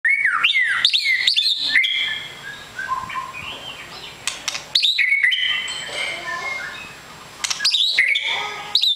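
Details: Long-tailed white-rumped shama, a 'super fighter' bird, singing rich, varied whistled phrases: sharp downslurred notes and ringing tones, then bursts of rapid chips, with brief pauses between phrases.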